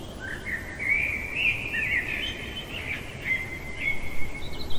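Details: Common blackbird at night giving one long, sustained warbled phrase of melodious slurred whistles, trailing into a higher thin twitter, with low background noise throughout.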